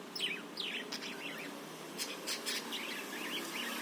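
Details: Budgerigar song, used as a training lure to make other birds sing, heard as quick descending chirps and soft twitters, a few sharp clicks midway, against light background noise.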